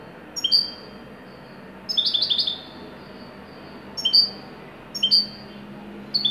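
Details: Moroccan widani European goldfinch in joyful song, mixing spaced two-note whistles with short bursts of rapid, ringing twitters, phrases coming about once a second or two in a fairly quiet setting.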